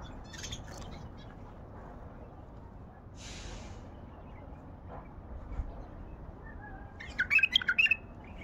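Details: A wild Baghdadi bulbul: mostly quiet background with a brief rustle and a soft thud, then a lively burst of rapid, chattering warbled notes toward the end.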